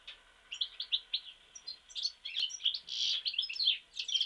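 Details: Lively goldfinch song recorded in Mostar: bright chirps and liquid twitters packed into quick phrases, building to a denser, buzzier burst midway before more tinkling notes.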